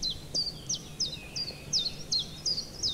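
Common Chiffchaff singing a steady run of high, sharp notes, alternating up and down about three times a second, over faint background hiss.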